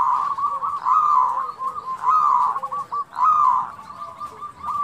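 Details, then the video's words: Local zebra dove cooing in the kerot and bekur putar style, meant to stir other doves into singing: repeated rolling, trilled coo phrases in quick succession at a steady mid pitch. "Khusus suara kerot & bekur putar ini di jamin cepat gacor"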